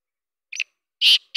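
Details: Black francolin morning call: a short soft note, then two loud, harsh, grating notes in quick succession, high-pitched and rasping.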